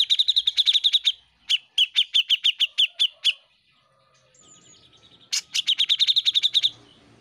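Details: Grey-cheeked bulbul song used as a master recording for teaching caged songbirds: rapid bursts of repeated bright chirping notes, about eight per second, broken by short pauses, with a faint high whistle in the gap.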